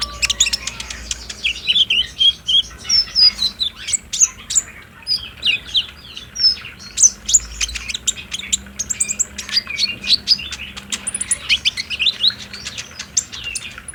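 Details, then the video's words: Kolibri ninja, the olive-backed sunbird, green form, singing continuously in a recording meant to prompt other sunbirds to respond: a dense stream of very high chirps, twittered trills and quick slurred whistles, with barely any pauses, over a faint low hum. "PALING JITU BIKIN KOLIBRI NINJA IJOAN CEPAT NYAUT | PANCINGAN KONIN TROTOL AGAR BUNYI DAN GACOR"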